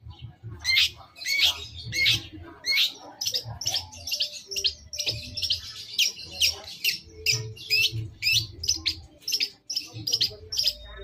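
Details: Long-tailed shrike song played as a masteran to draw an answering bird: harsh, scratchy high notes repeated in quick bursts, a busy chattering stream with some softer lower notes.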